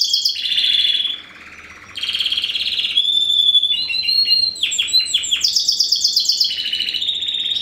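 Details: Spanish Timbrado canary crossed with wild canary, bred 2015: a ringing trill, a brief low rolling passage, then a level metallic tone, falling chopped notes and fast high trills.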